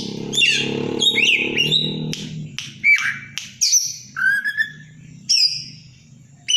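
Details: Caged Oriental magpie-robin with its tail spread, singing to provoke a fighting rival after a feed of banana-leaf caterpillars. Bright whistled phrases and slurred notes come in bursts every few seconds, with a low rumbling hum underneath.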